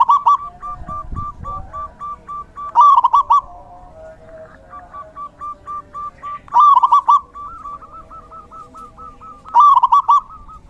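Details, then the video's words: Rainy-season zebra dove chorus: loud trilling coo phrases recur every three to four seconds over long runs of softer, evenly repeated coo notes from other birds. "Suara Terapi perkutut/Merbuk di Musim Hujan"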